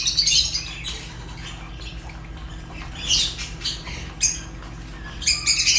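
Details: Fischer's lovebird giving scattered shrill chirps and short squawks, loudest at the start and end, with quieter stretches of faint chatter between.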